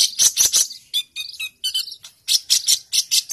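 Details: Energetic fighting-mood sunbird song meant for tutoring: harsh high rattling bursts alternate with short bright warbled phrases, rapid and uneven.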